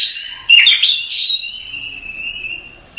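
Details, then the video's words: Masteran song of an Oriental magpie-robin: a quick tumble of bright chirps, followed by one long, even whistle held for more than a second. "Suara Masteran Kacer"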